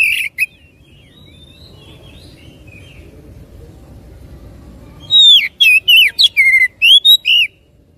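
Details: Oriental magpie-robin singing to stimulate another bird: a brief note, quiet stretch with faint distant chirps, then a lively sequence of clear whistled slurs and clicks repeated about twice a second.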